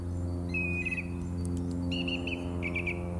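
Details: Song thrush in March 2018 repeating a short motif of clear whistled notes, three similar stuttered phrases in quick succession, over a strong steady low hum.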